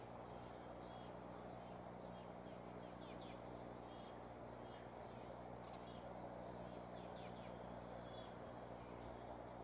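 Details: Bald eagle chicks in a nest at Decorah, 3 June 2015 around 5:45 pm, waiting for a parent to bring food: thin, high, sharp chips in loose repeated clusters over a constant low hum and hiss.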